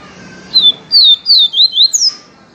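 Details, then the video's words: Yellow-bellied seedeater singing a pure viviti-style song: after a short pause, five sharp whistled notes sliding downward in quick succession, ending on a higher drawn-out slur, with low steady hum behind. "papacapim PEITO AMARELO canto viviti PURO"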